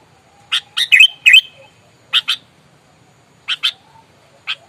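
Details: Combative sooty-headed bulbul: a few loud harsh bursts with two whistled chevron-shaped slurs, then scattered single scratchy notes separated by pauses in a quiet background.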